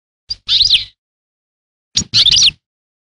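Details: Two brief twittery bursts from a European goldfinch, each a tight cluster of high, tinkling slurred notes separated by about a second of silence.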